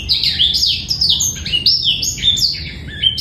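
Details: Male black-throated canary singing a master song used to coax young birds into singing and bring females into breeding condition: a rapid, high twittering of sweeping, downslurred notes in quick succession, clear and without harsh trills.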